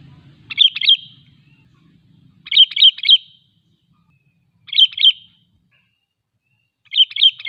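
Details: Sooty-headed bulbul singing a bright, liquid three-note phrase again and again about every two seconds, used to coax other bulbuls into song or lure wild ones near; a soft low rumble early on.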